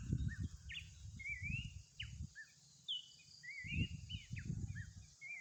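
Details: Horsfield's babbler singing in the wild: a string of rising whistles and short downslurred notes, interrupted by loud low rumbling noise.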